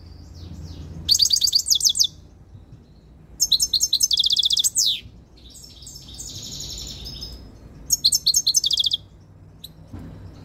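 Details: Close-range song of a tame European goldfinch coming into breeding condition: several bursts of rapid, bright twittering, one ending in a sharp downslurred note, interspersed with softer drawn-out high tones and short silences.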